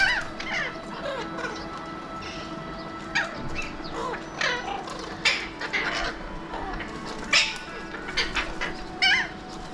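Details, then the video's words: Several Alexandrine parakeets (mountain or pahadi parrots) in Mumbai, India, watched from a window, trading shorter, fainter screeches and squawks. The harsh notes fall in pitch and come irregularly over a steady background hum. "Alexandrine Parakeets / Mountain / Pahadi Parrots of Mumbai"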